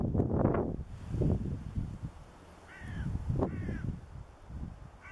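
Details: A European bee-eater gives two soft, rolling, trilled 'prrip' calls close together, half-buried under heavy wind rumble. It was at Stonelees, Pegwell Bay, around 11:30 in the morning on 8 June 2013, and was first mistaken for a distant cuckoo.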